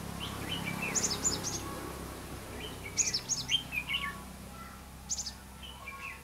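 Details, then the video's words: Singing red-whiskered bulbul used as a trapping decoy on 5 November 2016; three bursts of jumbled high chirps and warbled slurs, with a quieter final phrase. "Bẫy chào mào đá lân"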